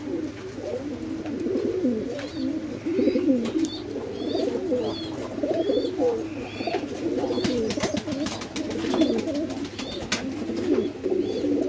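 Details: Several fantail pigeons, red tail-mark birds, at a pigeon farm in Bangladesh coo at once in a steady, low, rolling murmur, with thin high chirps from small birds breaking through above.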